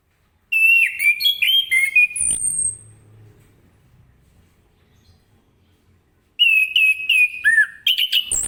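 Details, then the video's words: Orange-headed thrush in active ngeplong song at morning, played to make other birds reply: a dense run of quick whistled phrases, a thin high descending note, a quiet gap, then a second lively burst of whistles. "Anis Kembang Ngeplong Gacor di pagi hari"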